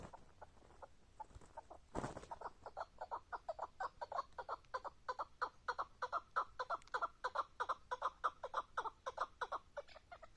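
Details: Chukar partridge calling: a long rhythmic series of hoarse clucking chuk notes, about three each second, growing louder and steadier through the run, with one sharp loud knock early on.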